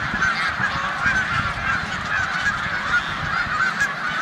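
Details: Migrating snow geese gathered in a corn field on Olmstead Road, Savannah, New York, March 2020, beside Canada geese; a continuous wall of high-pitched honking, with low rumbling thumps beneath.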